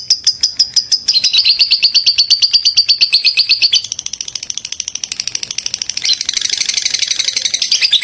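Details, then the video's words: Lovebird delivering a lively ngekek song for use as tutoring material: a long, rapid buzzy chattering trill that shifts pitch in several stages and grows harsher near the end. "Ngekek makin gacor love bird"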